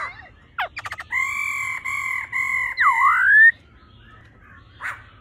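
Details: Female laughingthrush giving 'ro ro' calls to excite a male: a few quick clicky notes, then long steady harmonic tones repeated with short breaks, ending in a dipping rising whistle; low background hum.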